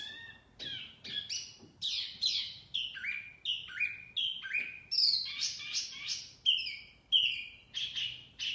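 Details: Wambi mini in full, energetic song, played to lure birds: a steady stream of bright whistles, each dropping into a lower chirp, in quick succession with faint background hiss.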